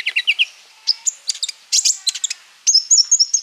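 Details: Ruby-cheeked sunbird, used as a lure to prompt other sunbirds to sing, sings a fast, very high run of thin chirps, sharp notes and a closing trill, packed with varied phrases.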